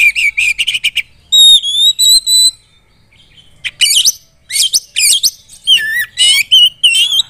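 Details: Oriental magpie-robin singing a varied, showy song used to provoke rivals: bursts of rapid chirps, a run of clear high whistled notes, then jumbled rich phrases with quick twists and trills, separated by short pauses.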